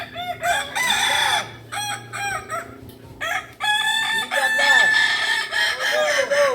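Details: Kukuak Balenggek roosters, an ornamental native breed from Solok, West Sumatra, at a practice crowing contest; several birds overlap in long, stepped, multi-syllable crows with short pauses between bursts.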